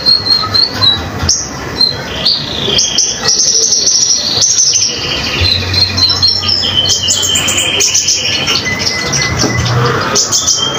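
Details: Common iora in lively full song, used to train other songbirds such as magpie-robins; fast high chirping phrases and short whistled notes run almost without pause, with a faint low hum beneath.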